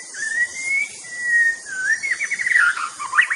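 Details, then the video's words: Murai batu, or white-rumped shama, giving long smooth whistles that waver up and down, then breaking into quicker warbled and trilled notes; insects whine continuously in the background. "bird nature sound murai batu"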